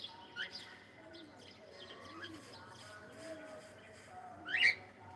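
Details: Pet cockatiel saying hello, ending with a sharp, bright upward-sweeping whistle after softer short whistles, set against steady background chirping and faint low voices.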